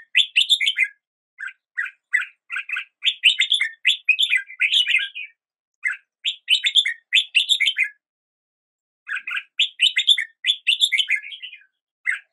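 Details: Red-whiskered bulbul singing cheerful, bubbling phrases of fast chirps and slurred whistles, each phrase several seconds long with short silent gaps between, recorded without background noise.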